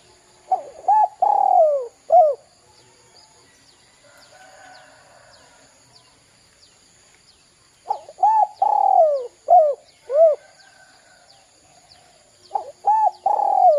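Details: Spotted dove cooing, recorded to lure young birds into calling. Three phrases of short hooked coos and a long descending coo, separated by pauses. Soft distant chirps from another bird fill one gap.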